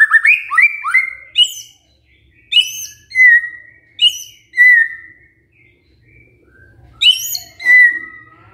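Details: Lure recording of white-rumped shama song for a reluctant bird: quick rising whistles, then spaced, pure drawn-out whistled notes and short chips separated by brief silences.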